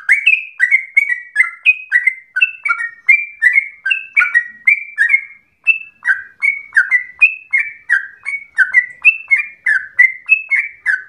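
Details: Yellow-vented bulbul in long, chatty ropel song likened to a straw-headed bulbul: quick continuous runs of short, rich falling whistles, a brief pause midway, then the same rapid pattern again.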